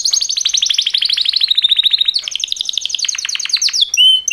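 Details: Male canaries singing a mating-call song: continuous fast rolling trills shifting in pitch, a second trill section, and a final short whistle.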